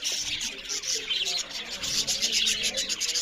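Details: Budgerigars chirping loudly over their food; a short, unbroken wash of shrill, scratchy twittering with quick pulsing notes about four per second.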